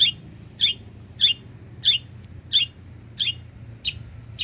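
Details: Long-tailed shrike (cendet), a bird said to mimic many bird species, in lively song meant as a tutor recording for training cage birds: sharp, high chirped notes, each a quick upswept flick, repeated about every 0.6 seconds, seven in all, over a faint low hum.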